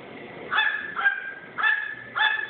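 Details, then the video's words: Pet crow barking like a chihuahua it learned from: three short hoarse, nasal yelps about half a second apart, each starting abruptly with a rough edge, recorded close indoors. "Barking crow"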